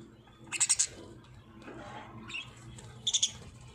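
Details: Parrots in Pakistan singing: two loud bursts of rapid, high, shrill chirps, three or four notes each, near the start and end, with softer twittering between over a faint low hum.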